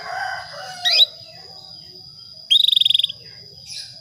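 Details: Female Atlantic canary calling a male to stir breeding: a fast burst of about twelve even, bright pulsed notes, preceded by a sweeping upward chirp and followed by a faint buzzy note, over a steady high whine.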